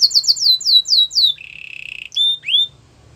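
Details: Belgian canary song opening with a run of quick descending whistled notes, then a low buzzy rattle and two short upward-sliding whistles.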